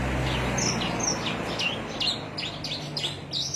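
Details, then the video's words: Javan myna in Cilacap, Indonesia: a series of high, down-slurred whistled notes repeated about every half second over steady low background hum. "Kicau javanica cilacap"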